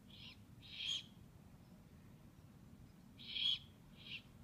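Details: Young owls, recorded 2/11/15, hiss out paired harsh screeches, a short one followed by a longer louder one, the pair repeated after about two seconds of quiet hum.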